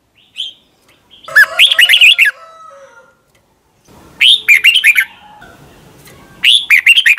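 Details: Red-whiskered bulbul song from Thailand, played for caged birds to learn: short bursts of rapid warbled, bubbling notes, each phrase about a second long, repeated roughly every three seconds with quiet gaps between.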